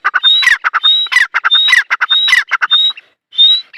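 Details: Dakhni teetar, a francolin, giving dense, harsh, rasping calls mixed with short whistled notes, repeated rapidly and unevenly, with a brief pause near the end before one more call.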